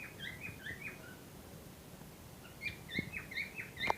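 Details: Cockatiels kept as a pair ready for breeding; soft, short chirping notes come in two loose bursts with a quiet pause between them, over a low background hum.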